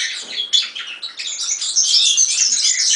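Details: European serin song: quiet high twittering at first, then a dense, fast, jingling run of very high, thin notes that grows louder and continues without pause.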